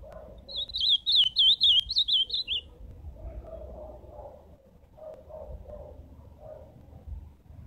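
An Ultramarine Grosbeak gives one rich, warbled phrase of quick sliding whistles lasting about two seconds, then falls silent over a low background rumble.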